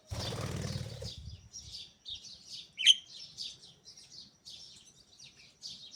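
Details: Budgerigars in an aviary chatter in quick, scratchy high chirps and warbles in the cool morning air, with a low rumble at the start.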